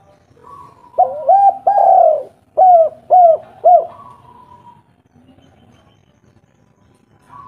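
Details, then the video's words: Local spotted dove cooing as a lure to train birds and make other doves answer: a rich, mellow series of low, rounded coos, three quick notes then three evenly spaced ones, followed by a fainter trailing note and quiet background. "tekukur derkuku lokal gacor suara merdu nada besar ampuh untuk masteran langsung nyaut"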